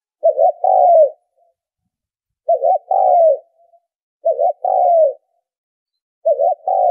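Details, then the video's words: Spotted dove calling to attract birds for trapping, repeating a low phrase of a quick doubled note and a long falling coo roughly every two seconds in otherwise silent surroundings. "tiếng chim cu gáy kích bổi - cu gáy kích mồi - tiếng cu gáy giành cho đi bẩy"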